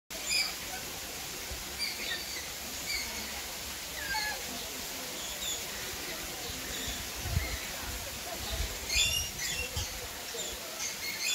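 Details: Rainbow lorikeets in Palmitos Park give a steady scatter of short, shrill, high chirps and squeaks, several birds calling over one another against a soft background hiss.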